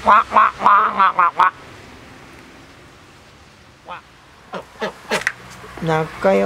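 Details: Pet domestic ducks kept at a home quack in a quick burst of six nasal calls, then fall quiet. Scattered quacks and a person's voice follow, ending with another short run of quacks.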